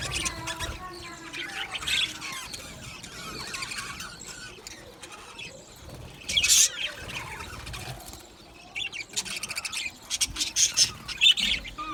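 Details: Several male budgerigars chatter together, recorded on 8 December 2025: high, scratchy chirps in dense bursts, with louder clustered squeaks around the middle and near the end.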